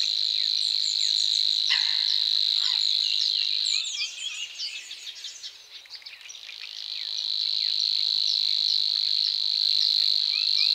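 Savi's warbler gives a long, even, insect-like buzzing reel. It breaks off briefly while other small birds chirp, then resumes steadily.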